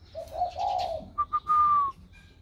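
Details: Spotted dove with a newly warm voice, recorded 16 February 2020. A brief mellow two-part coo is followed by two short whistle blips and a long, clear whistled note that gently falls in pitch.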